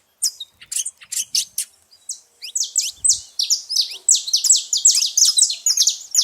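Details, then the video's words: Saffron finches calling loudly at a feeding spot: a few separate sharp ticks at first, then a burst of fast, high, downslurred chirps growing denser and more continuous. "canário da terra fazendo muito barulho na seva"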